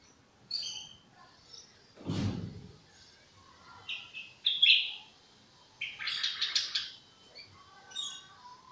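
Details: Young European goldfinch practising its song: scattered thin chirps and short high twittering bursts, a scratchy cluster of notes near the end, with one dull low thump early on.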